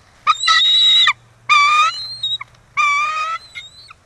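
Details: Loud, close bald eagle at the E-1 nest, Kisatchie National Forest, after the pair's first egg, 9 December 2023: three long, strained screaming calls, each held about half a second, followed by short whistled tails.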